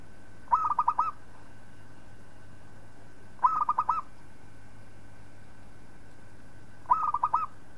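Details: Local zebra dove song used as training material for other birds: three short rolling coo phrases, each a quick run of pulsed notes, repeated roughly every three seconds against a constant background hum.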